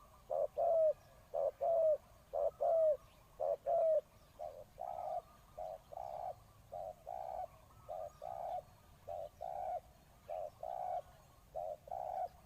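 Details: Captive decoy spotted dove cooing to attract wild birds. It starts with paired coos that have a slurred downward note, then settles into a steady run of soft, low coo pairs about once a second, in otherwise quiet surroundings.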